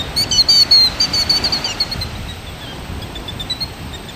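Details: A killdeer, likely a male near its nest, gives shrill, high, rapidly repeated calls that run into a trill, then fade and thin out over a soft outdoor hiss, calling out while faking injury to distract a predator from the nest.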